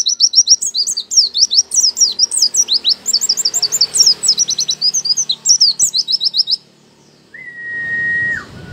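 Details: Caged oriental white-eye gives a rapid high warbling song of quick sweeping chirps for about six seconds, then stops; afterwards a single long steady whistled tone and some low background rumble are heard.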